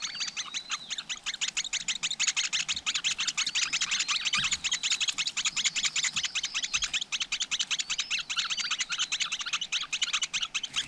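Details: Flowerpeckers at a nest with chicks, close up in the wild: a dense, steady stream of sharp, high chipping notes, about two or three per second, with faint thin whistles overhead throughout.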